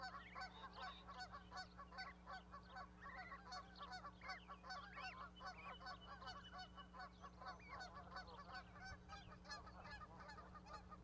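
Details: Goslings and parent goose on a nesting platform at Charlo, Montana, May 12, 2020. A dense, busy chorus of rapid overlapping honks and chirps, close to one a second, runs throughout over a faint hum.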